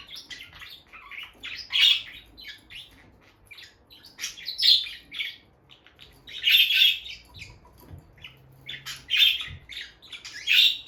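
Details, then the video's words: A pair of peach-faced lovebirds, bonded and staying near their nest box, utter clustered bursts of shrill chirps roughly every two to three seconds, with quieter twitters between. "Parrot Chirping Sounds – Relaxing Lovebird Couple Vocalizations"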